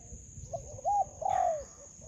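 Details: Spotted dove, a wild bird met while trapping with a decoy in a melaleuca grove, gives two short mellow coos, the second longer and slightly falling, over a steady high electronic whine.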